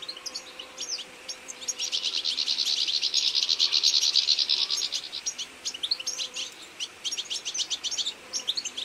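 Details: A feeding flock of European goldfinches (Carduelis carduelis) in autumn chatters continuously with bright, tinkling, high twittering notes, swelling into a dense chorus midway before breaking into scattered chirps.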